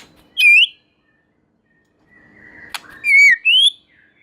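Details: White-rumped shama song, claimed to trigger other shamas: a single loud rising whistle, silence, a click, then two strong clear whistles, the second climbing.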